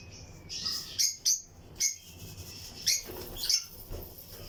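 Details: Pairs of lutino lovebirds in a breeding colony cage give loud, piercing chirps every second or so, some doubled, with thin high twitters between and a low background hum.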